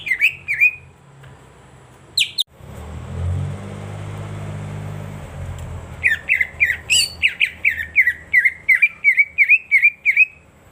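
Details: Whistled song of the cucak ijo (greater green leafbird), played as a lure for birds that have stopped singing. A few loud notes open, then a pause filled by low humming, then a long rapid string of sharp slurred whistles.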